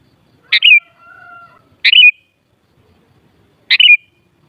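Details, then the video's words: Three brisk phrases from a sooty-headed bulbul at uneven gaps, each a buzzy note running into a falling whistled tail. After the first phrase comes a faint, steady, long tone in the background. "Suara Burung Kutilang Paling Ampuh Untuk Menaikan Emosip Jadikan Kutilang Gacor Nyaut"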